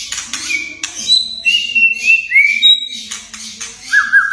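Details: Murai batu (white-rumped shama) song of whistles and crackle notes to stir young or silent birds: level high whistles, a rising slur, a closing trilled note, with harsh bursts and a low hum.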